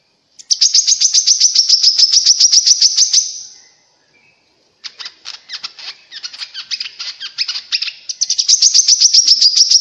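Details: Grey-cheeked bulbul song used to provoke other birds into singing: a rapid high chatter for about three seconds, a short silence, then rougher, buzzier uneven notes leading back into the fast even chatter.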